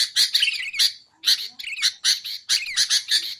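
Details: Sooty-headed bulbul sounds meant for luring bulbuls and tutoring caged birds. Bright, scratchy notes come in bursts of two to four, with a short falling whistle woven in and a brief gap midway.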